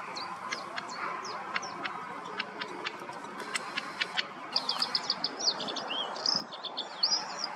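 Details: White-spotted bluethroat singing: a run of sharp, evenly spaced ticking clicks, then a burst of quick, varied, high twittering and chattering phrases, over a steady broadband background hiss.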